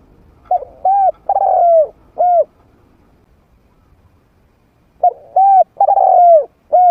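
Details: Trained spotted dove of medium voice, used to bring wild doves in to fight. Two phrases: short coos, a long falling coo, then a closing short coo, separated by about two and a half seconds of quiet.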